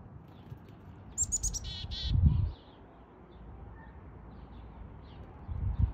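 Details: At a backyard bird feeder in NW Calgary, Alberta, at 9:54 am on April 4, 2022, a Black-capped Chickadee gives one quick chick-a-dee-dee: a few thin, high notes, then a short run of buzzy dee notes, over low wind rumble and thumps.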